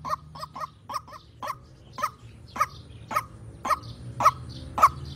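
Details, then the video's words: White-breasted waterhen in full voice, played as a lure for trapping birds: harsh, hoarse croaking notes repeated nearly twice a second, the early ones quicker and softer, then steady and louder toward the end, over a low hum. "Suara Pancingan Burung Ruak Ruak Gacor Untuk Pikat"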